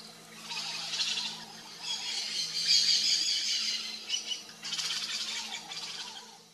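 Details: Variable oriole, males and females alike: a busy run of high, chattering and twittering notes, rising and falling in loudness, with brief pauses between bursts and a faint steady hum behind.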